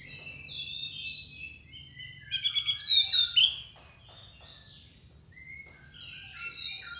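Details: Orange-headed thrush song: varied whistled slurs rising and falling, building to a loud, rapid rattling trill of bright notes in the middle, then softer warbled phrases fading out.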